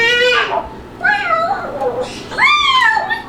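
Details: Pet male Moluccan cockatoo, at home while playing and making noises: three loud, harmonic, wavering squawks, the first falling and the last arching upward, separated by short pauses.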